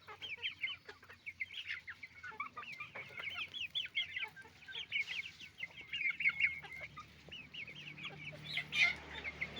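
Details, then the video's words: Chicken farm with roosters and hens: a dense crowd of overlapping clucks and squeaky calls, continuous and chattering, above a steady mechanical drone. "the sound of a chicken farm, roosters and hens making noise"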